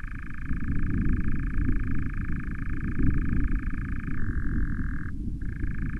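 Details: Trio of nightjars interacting, filmed by an osprey nest cam on 09/07/20: an unbroken reeling churr holds one pitch, drops to a lower level, then breaks off briefly before resuming, with steady low background rumble.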